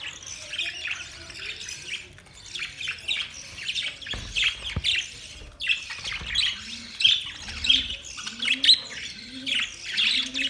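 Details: Budgerigars chirping in a group, continuous high warbling chatter with squawks, plus a series of short low rising notes repeated near the end.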